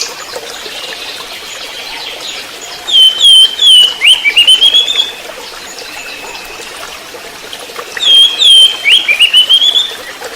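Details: Trotol-style song of an orange-headed thrush: two bright whistled phrases, each a run of clear slurred notes and a rising glide, separated by a few seconds of quiet.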